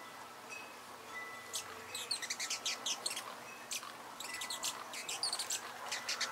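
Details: Amazilia hummingbird: bursts of rapid, very high, sharp chips and squeaky twitters, clustered in quick runs from about one and a half seconds on, over a low background hiss.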